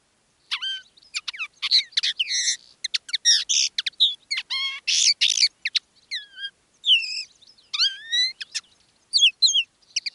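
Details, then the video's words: Common linnet decoy singing live in one of two styles: a lively stream of high twittering notes, rattles and clear upslurred whistles, with short gaps, on a quiet background. "Canto del Pardillo. Dos pájaros de reclamo"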